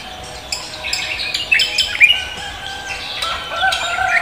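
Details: Javan green magpie singing in the morning, 'koak kelapa' style: scattered sharp whistles and chirps, loudest around two seconds, mixed with softer chatter and a steady background hum.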